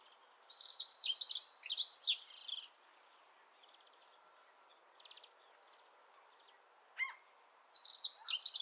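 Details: Dunnock (Prunella modularis) song: a fast, high, jingling warble lasting about two seconds, then a brief pause before the next phrase begins.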